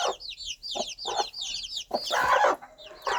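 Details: Mother hen calling her chicks: short low clucks alternate with bursts of high, descending chick peeps, interrupted by a brief rush of broadband noise in the middle.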